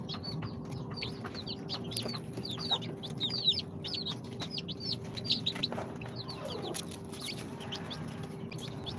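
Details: Incubator-hatched chicks on day 2, a group of Sultan, Golden Sebright, Cochin and booted breeds, chirping in clustered runs of high falling peeps, a few clicks and soft knocks between, background hum throughout.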